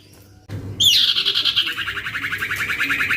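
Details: Loud young male common iora (cipoh) used to lure other ioras: a piercing whistle that drops sharply into a strong, regular, fast trill pulsing about eight times a second.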